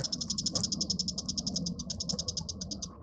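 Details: Continuous quick-fire series of high, pulsing notes from a bull-headed shrike, roughly ten per second for three seconds, with a low hum underneath.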